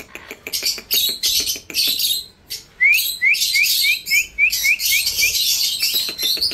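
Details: Harsh screeches from an Indian ringneck parrot give way to a rapid run of short rising chirps, roughly eight in two seconds, over a backdrop of light clicking.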